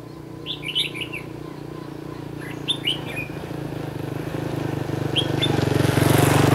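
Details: Red-whiskered bulbul used in bird trapping near the Gulf of Tonkin, giving short bright warbled phrases early on, fading under a rising roar of passing motor traffic.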